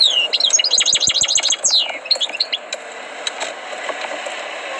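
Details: European goldfinch trained in song, delivering a fast series of looping, bouncy twittered notes and a descending slur in the first two seconds, then a few scattered chirps fading into hiss.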